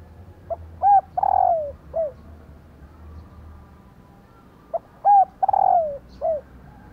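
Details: Calling female spotted dove, whose voice is used to make males coo back. Two phrases about four seconds apart, each a short note, an arched hoot, a long buzzy descending coo and a brief closing coo.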